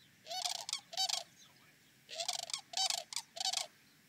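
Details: Sandhill cranes calling by a lakeside gathering site: loud, rolling, trumpeting rattles in short bursts, two or three close together, then a pause and another run of calls.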